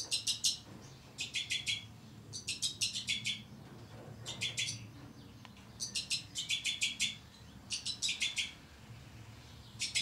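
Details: Captive breeding pair of two-barred crossbills with their young, recorded in 2012: bursts of three to six short, dry, high chirps in quick succession, repeated about every second, over a low background rumble.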